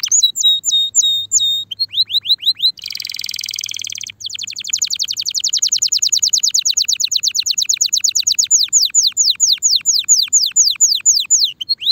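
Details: Spanish Timbrado canary in mating condition: clear flat whistled notes, a harsh buzzy burst, then a long rattling trill slowing into spaced sweeping notes over about twelve seconds.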